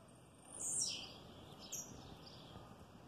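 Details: Singing blue-black grassquit in an aviary together with a female: one strong, buzzy downward-sweeping high note, followed a second later by a shorter, thinner falling note, with a soft steady hum underneath.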